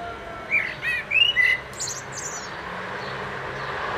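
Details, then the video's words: Blackbird singing from a street-side front garden on 29 March 2014; a short run of clear whistled notes then a high scratchy flourish, traffic noise softly in the background. "Amsel singt vor dem Fenster"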